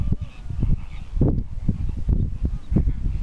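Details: Greater flamingo displaying: low, gruff goose-like honks and grunts in a dense, overlapping chorus of many birds, short bursts tumbling over one another with no clear rhythm.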